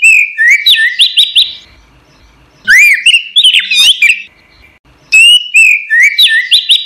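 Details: Caged orange-headed thrush, known locally as anis merah, recorded as a training song for songbirds: three energetic bursts of rapid whistled slurs, rising and falling notes mixed with sharp clicks, each lasting about one and a half seconds.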